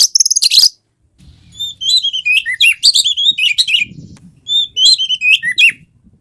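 An Oriental magpie-robin opens with a fast burst of high chattering notes, then a rich run of varied, clear whistled phrases rising and falling, over a faint low hum.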